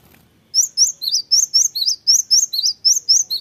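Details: Cinereous tit singing vigorously and answering immediately when a recording is played: after half a second of quiet, a rapid run of about twelve high, clear whistled notes alternates between higher and lower pitches, roughly four per second.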